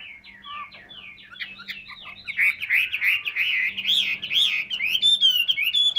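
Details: Large-bodied caged hwamei, 'tam hoàng' type, noted as a prolific singer. Rapid downslurred whistles build into a loud, rolling, warbling stream of varied phrases, with a faint background hum throughout.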